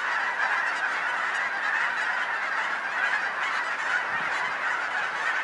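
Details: Massed geese in Colorado, a very large flock that regularly gathers near a home, honking all at once so that countless harsh calls merge into a constant, even clamor.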